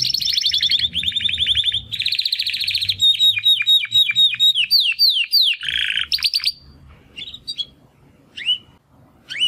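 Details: Immature male Timbrado canaries, two brothers from the second 2020 breeding, trying out song after their first molt; a long continuous run of fast rattling trills and repeated descending whistled notes, then sparse upslurred chirps as the song fades.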